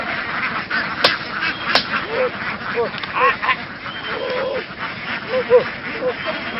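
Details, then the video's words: Flock of laying ducks in Vietnam, moving across fields and being herded toward a boat: repeated short nasal quacks from several birds overlap in a steady babble, with occasional sharp clicks and background noise. "Duck | Đàn vịt đẻ chạy đồng xuông tàu di cư"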